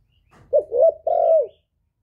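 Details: Calling male spotted dove kept as a lure for wild birds; a single mellow phrase of two brief coos followed by a long, steady coo that bends downward, with faint low rustling before it.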